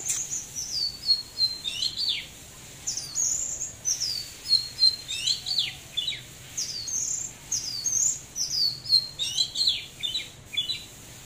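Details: Oriental magpie-robin in display song, a steady stream of short whistled and slurred notes, many swooping downward, grouped in quick phrases with brief gaps between them.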